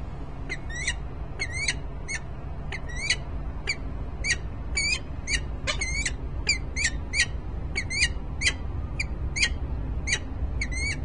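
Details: Male and female peregrine falcons at Harrisburg, Pennsylvania, 10 December 2020, early afternoon: a long rapid series of harsh, slurred, chevron-shaped notes repeated several times per second, loud and insistent, over a low background rumble.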